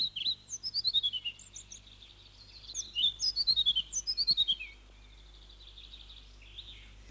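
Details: European pied flycatcher song, an early amateur recording made by a farmer and wildlife recordist near Exeter, Devon, and entered in a 1963 BBC wildlife recording competition: two bright, quick phrases of high, sweet, see-sawing, tumbling notes over a faint low hum.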